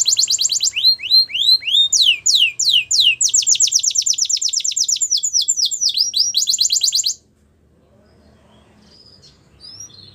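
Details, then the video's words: Canary singing a training song, a fast series of downslurred whistles shifting into a steady rolling trill, then a buzzy tour; the song stops after seven seconds, leaving near silence with a faint chirp. "Canaries Singing !! The Best Canary Training Song"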